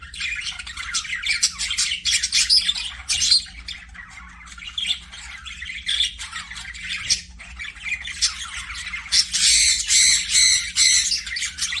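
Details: Budgerigars, pet parakeets in an aviary, chattering nonstop with harsh squawks, rapid clicks and buzzy warbled chirps, louder bursts near the end, over a faint low hum.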